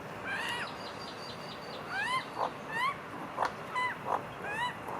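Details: A family of magpies eating together gives short, rising, slightly nasal whistled calls about every half second, with a few soft knocks in between.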